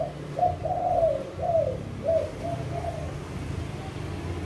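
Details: Male spotted dove with a big voice delivering the two-'kuk' song: a run of five or six soft, throaty coos, each slightly falling, over a steady low background hum.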